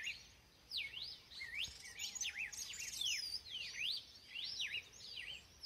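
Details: Clear, ringing whistles from a red-cowled cardinal, looping rising-and-falling slurs strung into a rapid phrase of many notes, lively throughout, with only faint ambient hiss behind.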